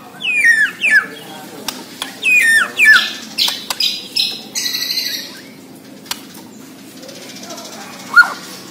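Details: Borneo white-rumped shama in vigorous song. Paired sharp descending whistles come early, then buzzy harsh notes; the bird falls quiet apart from a clear single whistle near the end.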